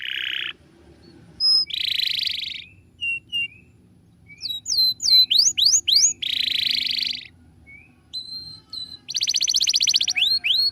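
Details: Canary master song for teaching birds, varied and broken by pauses: buzzy rolls, short whistles, quick rising slurs, a steady note and a rapid pulsed trill at the end.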